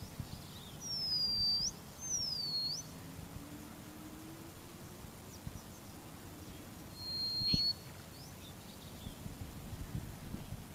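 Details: Short-clawed Lark (Calendulauda chuini), eastern dialect call: two high, slurred whistles dipping then sweeping upward, then a pause and a thin level whistle, over soft background hiss.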